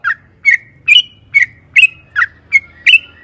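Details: Yellow-vented bulbul used as a lure to trigger singing: eight loud, liquid, slightly slurred notes delivered steadily about every half second, with a faint low hum underneath.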